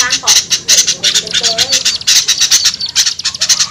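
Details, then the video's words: Small birds' attracting call, a busy jumble of sharp high chips and squeaky, slurred twittering notes, delivered in quick overlapping bursts. "SUARA PIKAT AMPUH UNTUK BURUNG KECIL SUSAH TURUN"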